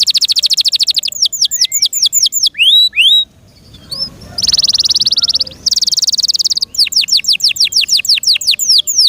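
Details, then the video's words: Captive canary singing. Fast downslurred notes and a few upswept whistles lead into a brief pause, then two bursts of dense buzzy trill, and a return to rapid repeated slurs. "PLEASE LISTEN AND ASSESS FOR YOURSELF THE BEST CANARI BIRD"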